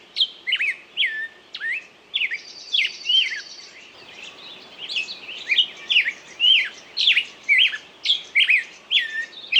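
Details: Bird singing in clipped, downslurred whistles, spaced at first and then speeding into a rapid steady series of chirps. A short buzzy trill is heard early on.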